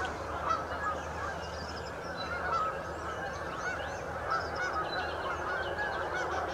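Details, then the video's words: Chorus of a Canada goose flock at St Anne's Lagoon: continuous layered honking from many birds, steady and unbroken, with occasional louder clear honks rising above the mass. "Canada Geese flock at St Anne's Lagoon"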